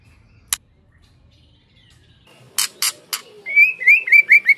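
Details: Female white-rumped shama giving a wild, forest-style song: a few dry, harsh rasping notes, then a quick run of short, clear, upslurred whistles that repeat several times a second.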